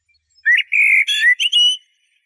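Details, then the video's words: A single Eurasian blackbird phrase: low mellow whistles rising into a sustained fluted note, then closing with brief, higher chattering twitters. "تغريد طائر شحرور (جحمومية)Merle noir"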